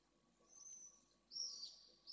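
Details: Pallid swifts, a pair coming back to their nest at Esclavas de Jerez, Spain, at the end of the evening. One thin high scream is followed by a louder, harsher buzzy one, with a low faint hum underneath.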